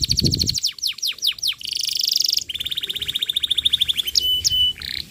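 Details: Lure song of a lively canary, played to train young canaries: fast descending whistled slurs, a bright buzzy burst, then a long, rapid rolling trill followed by a few sharp high chips.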